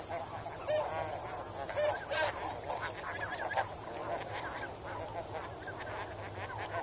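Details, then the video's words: Flock of snow geese swimming and wading, giving short nasal honks at irregular intervals, some overlapping, with a continuous rhythmic cricket chorus behind them. "Snow Goose. MCU Calls From Flock While Swimming And Wading In Water."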